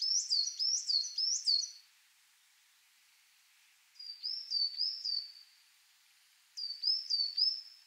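Coal Tit song: three bursts of thin, high two-note phrases, a falling note then a rising one, repeated quickly three or four times, with quiet gaps between.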